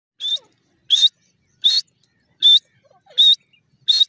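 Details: {'caption': 'Grey francolin calling in a quiet setting: six loud, short, harsh high-pitched notes repeated at steady intervals of about 0.7 seconds, with little else audible.'}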